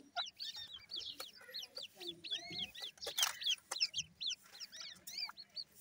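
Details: Grey francolin (teetar) chicks give rapid runs of high, thin, falling peeps, steady over a soft low hum, with a brief burst of broadband noise midway.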